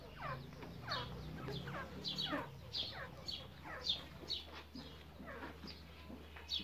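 Grey francolin giving a rapid series of harsh, sweeping notes, about two per second, over a steady low hum.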